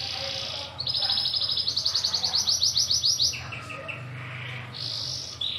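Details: Local brown canary singing a long rolling song, with a sustained high tone, a fast pulsed trill of rapid notes, then lower repeated chips and a final high burst over faint hum.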